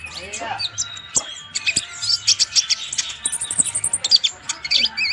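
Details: High-spirited song of a konin, or purple-throated sunbird, meant as a master for training songbirds: dense high twittering, sharp chips and a brief high buzzy run, ending with wavering whistled slurs, over a faint steady hum.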